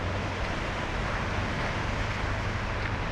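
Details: Broad rushing noise like wind or surf over a low engine drone, with no animal calls.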